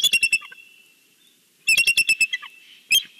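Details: Bald eagle on its nest at Big Bear on a Sunday, calling out a greeting to the valley: bursts of shrill, piping chatter notes in rapid strings, separated by quiet gaps, with a thin whistled tone between.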